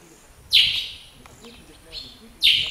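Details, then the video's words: Northern grey-headed sparrow (Passer griseus ugandae) in Akagera National Park, Rwanda, March 2013, giving short, harsh chirps, two loud notes about two seconds apart with a fainter one between, over quiet background hiss. "Moineau gris (Passer griseus ugandae) Northern Grey-headed Sparrow"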